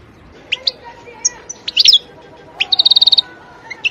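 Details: Wild European goldfinch in a forest. Scattered high twittering notes, then a rapid, evenly spaced metallic trill of about ten notes, followed by a couple of isolated chirps against a quiet background.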